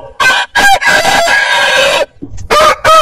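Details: Roosters from heritage chicken breeds crow loudly: short choppy notes lead into a drawn-out raspy crow, then after a pause two further abrupt crows begin.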